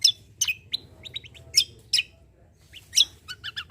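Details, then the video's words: Greater green leafbird in full 'tembakan besetan' song style, used to prompt untrained birds to sing: sharp, high chirps and short slurred notes bursting at irregular intervals, about one every half second, with brief quiet gaps and low background hum. "KECIAL KOMBO CUCAK KOMBO GACOR FULL TEMBAKAN BESETAN || UNTUK PANCINGAN BUNYI BURUNG BAHAN"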